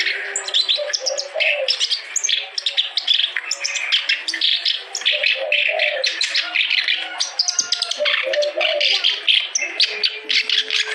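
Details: Continuously singing kerak basi, or clamorous reed warbler, used to stimulate lazy or stalled songbirds; long, busy outpouring of grating, chattering notes with interspersed low warbling phrases.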